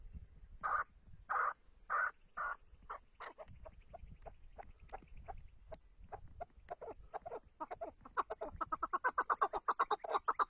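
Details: A Tatar chukar partridge starts with slow, separated rasping notes that quicken into a rapid, accelerating chatter of clucks toward the end.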